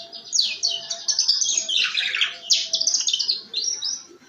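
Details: Rough ngeriwik (riwikan) canary song meant to get other canaries singing: an unbroken stream of high chattering notes and quick rising and falling slurs, with a loud buzzy, rattling burst in the middle.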